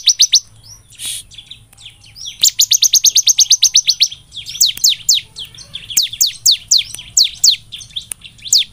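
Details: Bar-winged prinia, locally ciblek, recorded as a lure to set birds singing: a few scattered high chirps, then a rapid even series of about sixteen piercing notes, followed by a jumble of steeply dropping, clipped notes.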